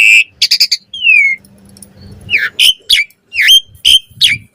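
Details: Varied Asian pied starling song meant as a master recording for other birds, with a buzzy opening note, rapid clicks, a falling whistle, then several loud squealing upslurred notes spaced about half a second apart.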